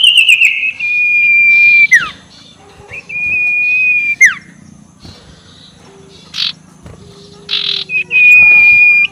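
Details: Ashy tailorbird ngekek used as a rival-provoking lure: three long level whistles, each ending in a quick downward slide, separated by quiet gaps with brief rushing bursts.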